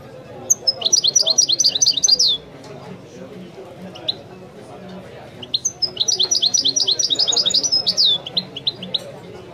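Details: Two long phrases of Wiidani song from a European goldfinch, each a run of rapid, bright, rhythmically repeated chirps of about two seconds, divided by a near-silent gap with a few scattered notes.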